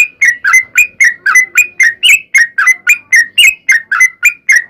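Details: Sooty-headed bulbul song used as a lure to make other bulbuls sing back aggressively; loud, rapid, chattering whistled notes repeated about every quarter second without pause, bright and slightly varied in pitch, clean background.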